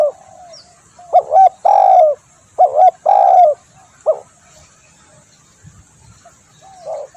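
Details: Spotted dove cooing, intended as a lure and training call; a loose string of soft, hollow coos, short notes leading into longer drawn ones, with uneven gaps and a quiet stretch before a final faint coo.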